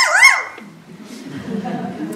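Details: A kea gives a half-second warbled play call, a call associated almost exclusively with play, sliding up and down in pitch, followed by quiet room murmur.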